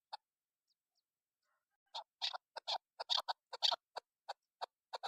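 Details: Hen chukar call used as a lure, opening with a lone note and a pause, then a rapid run of harsh clucks bunching into chattering bursts before settling into evenly spaced single notes.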